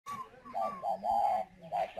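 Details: Captive spotted dove kept as a decoy bird in Ba Vì, Hanoi, Vietnam: a short run of mellow, hollow coos at an even pitch, broken by brief gaps, with faint low background sound.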